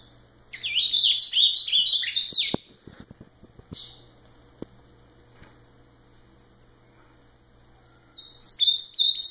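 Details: Ultramarine grosbeak sings a loud two-second phrase of fast descending and rising slurred notes, followed by a series of dry clicks and one short note, then a second warbling phrase begins.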